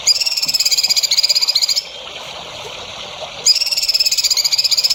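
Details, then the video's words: Songbird training song for young birds: bursts of high, rapid, layered trilling separated by a gap of about two seconds of quiet hiss, then resuming with the same fast pulsed pattern. "MASTERAN BURUNG HANDAL UNTUK CALON BURUNG JAWARA"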